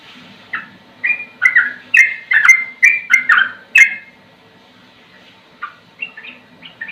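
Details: Sooty-headed bulbul, a song called slow yet rapid-fire and used for tutoring: a dense burst of overlapping whistled and slurred notes for about three seconds, followed by a quiet gap and a few scattered softer phrases.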